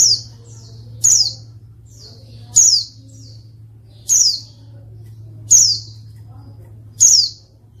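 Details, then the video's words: Female white-eye calling to provoke males reluctant to sing, meant to make them answer quickly as in the wild; sharp, very high chirps sliding downward, repeated about every one and a half seconds over a steady low hum. "pleci betina untuk pancingan pleci malas bunyi"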